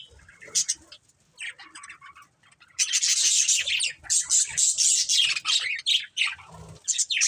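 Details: Budgerigars of a breeding pair start with a few scattered soft chirps, then burst into loud, rapid raspy chatter and chirping, about three notes a second, lasting to the end.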